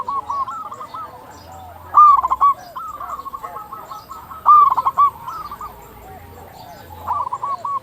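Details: A local zebra dove in energetic song, used to prompt other zebra doves to call. Two strong bursts of rapid stuttered cooing stand out, with a busy background of softer, overlapping dove coos.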